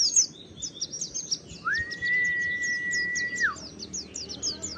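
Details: Lure song of the oriental white-eye meant to set kept birds singing: a stream of quick, high, slurred chirps runs throughout, overlaid by a long, steady, clear whistle lasting nearly two seconds.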